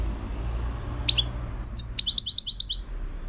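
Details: European goldfinch singing: a few high, sharp chips, then a rapid, tinkling run of about eight repeated downslurred notes. A low rumble like distant traffic sits underneath.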